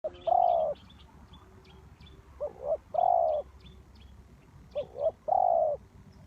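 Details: Spotted dove used as a lure for trapping, giving a soft, low, mellow coo phrase: short double notes then a longer drawn-out coo, repeated about every 2.5 seconds, with faint high chirps of other small birds behind.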